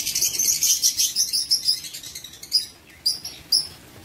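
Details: Shrill, rapid chirping from lovebirds kept in an aviary, 19 September 2023; steady high twittering fades into a few isolated sharp squeaks.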